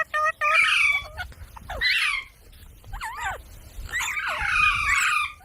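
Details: Parrot from a talking compilation: quick clipped notes, then rough squawks and wavering, bending whistles, then a long raspy outburst.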